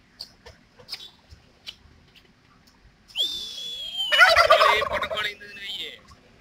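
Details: Male turkeys in a courtship dance aimed at females; faint ticks at first, then a long gobble starts as a high whistle over a swooping tone and breaks into a dense, fast rattling burble.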